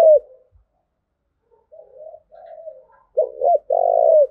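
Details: Spotted dove cooing call, used to train decoy birds and spur males. Soft, low murmuring coos build into one loud phrase: two quick throaty notes, then a drawn-out, vibrating coo that falls at the end.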